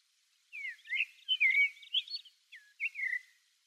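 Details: A common blackbird, a passage migrant recorded from far off on the Okinawa islands, gives a quick run of slurred, mostly falling whistles mixed with higher squeaky twitters, in two short bursts over about three seconds.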